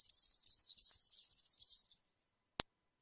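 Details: European serin in field-style song, cante campero: a two-second, very high, rapid jingling trill that stops abruptly, followed by a single sharp click.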